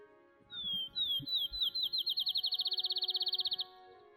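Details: Field Sparrow spring morning song in Ontario, Canada: a few clear, slurred whistles that speed up into a fast, even bouncing-ball trill, over soft background music.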